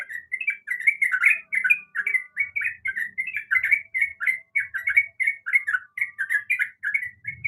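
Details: Female sooty-headed bulbul calling to a male: clear, fast bubbling chatter of short chirped notes, steady and unbroken, over near-silent background.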